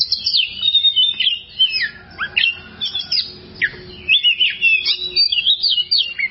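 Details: Kacer, the oriental magpie-robin, pouring out a vigorous song of harsh chirps, downslurred whistles and rapid trills in dense bursts separated by short pauses.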